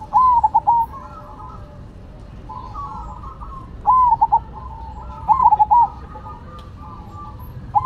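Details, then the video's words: Cemani and Silver perkutut, zebra doves, trading songs: three loud stuttered whistled coo phrases, spaced irregularly, with softer warbled phrases in between, the way two birds alternate. "Perkutut Cemani Gacor Vs Silver Gacor"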